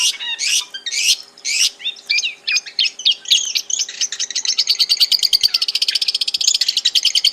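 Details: Wild Long-tailed Shrike singing in its natural habitat: a run of varied, sharp chirped notes at an uneven pace, speeding into a fast, dense, even trill of rapid high notes toward the end.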